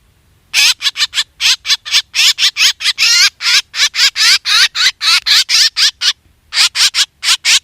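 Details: Lure calls of a black drongo for hunting: after a short silence, a fast chattering series of harsh, rasping notes, several longer and more buzzy, with a brief pause near the end.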